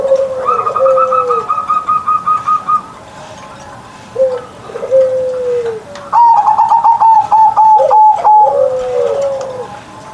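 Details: Pet zebra dove in full morning song, 'mbekur-mbekur' style: a low coo under a rapid row of higher notes, then drawn-out falling coos and a burst of quick ringing notes.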